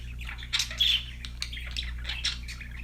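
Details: Happy pet budgies chattering: rapid grating squawks and thin whistled chirps in quick irregular bursts, strongest just before the first second, with a continuous low droning hum in the background.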